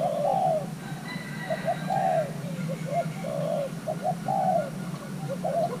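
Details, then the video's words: A young male Thai hybrid spotted dove coos during pairing, with deep burry phrases, each a quick pair of notes then a longer rolling note. Light chirps from other birds are heard in the distance. "Kích xem nước chơi của gáy thái lai trống tơ đang ghép đôi"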